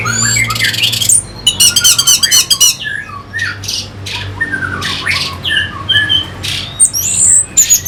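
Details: Orange-headed thrush song used as a lure to stir fighting birds: a dense, rapid run of varied high chirps, squeaky slurs and sharp notes, with a steady low hum underneath.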